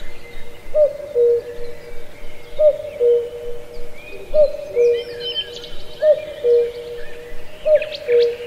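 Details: Steady cuckoo song from a lush old forest in Pallandri, Azad Kashmir, with five deep hooting cu-coo pairs, each dropping in pitch, repeated about every 1.7 seconds while other birds chirp and trill above.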